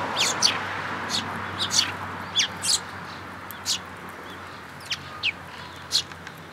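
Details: Eurasian tree sparrows visiting a feeding place in a plum tree at a Tenmangu shrine, 22 May 2022: a lively run of sharp, high chirps, some paired, thinning out into scattered single notes.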